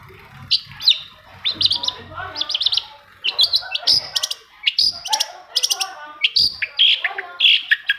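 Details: Varied long-tailed shrike song played to coax silent shrikes into singing: dense, scratchy warbling with chattering trills and harsh buzzy bursts, interspersed with high whistled flicks, almost continuous throughout.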